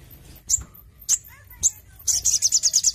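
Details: Crimson sunbird under intensive care gives three loud, sharp high chips about half a second apart, then a rapid, shrill trill of closely repeated notes.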